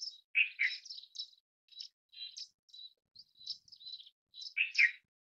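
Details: Indian silverbill in a busy twittering sequence, a loud burry double note at the start and end framing a string of high jingling chirps and short trills.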